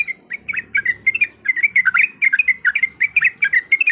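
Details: Excited fighting song of a yellow-vented bulbul played as a lure: tightly packed, bubbling, up-and-down chirps, steady and loud, over a low background rumble.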